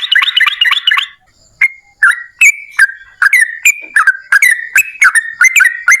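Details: Yellow-vented bulbul singing in long 'ropel' style to prompt other bulbuls to respond; a fast chattering burst opens, followed by a pause, then spaced, liquid whistled notes with quick slurs.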